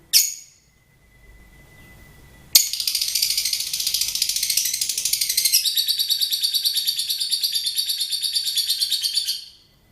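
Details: Songbird singing: a sharp opening note, then a long, rapid, high chattering trill of very fast repeated notes that continues for about seven seconds.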